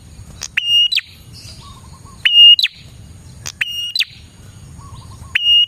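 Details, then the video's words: Prinia song meant for luring prinias: repeated phrases of a sharp tick, a held piercing whistle and a dropping chirp, with short pauses between, over a soft low rumble. "suara burung prenjak gacor"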